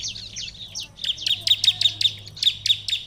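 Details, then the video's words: A lively Bar-winged Prinia gives a fast run of sharp, high chirps, about five or six per second, over a faint low hum; the song is meant to prompt other prinias to answer. "ciblek lain akan langsung nyaut gacor dengan suara ciblek gacor ini"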